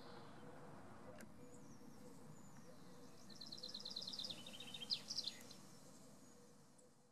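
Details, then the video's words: Male common chaffinch song, fairly distant: a run of repeated high notes descending slightly, closing with a few louder sharp notes, over steady low background noise. "Pěnkava obecná - The Common chaffinch (Fringila coelebs) - Zpěv/Song - (Samec/Male ♂)"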